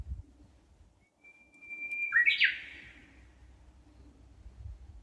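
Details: Songbird calling from the trees beside a shaded walking path in a park in Hondo, Amakusa, Kumamoto Prefecture, Japan, in early summer: one drawn-out, even whistle that breaks into a brief, tumbling, rising phrase, with soft background murmur.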